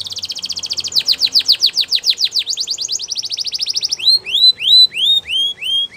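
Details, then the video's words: Belgian canary singing: fast trills of steep downward-sweeping notes, then rising upswept whistled notes repeated about three per second, loud and clear with no other sounds. "Belgian Canary Singing"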